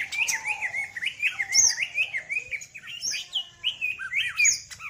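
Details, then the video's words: Greater green leafbird, a female in song, pouring out a rich varied medley of whistled slurs, sweeping upslurs and sharp high chips in rapid continuous phrases, over a faint low hum. "Cucak Ijo Setting Betina, Muntah Isian Mewah"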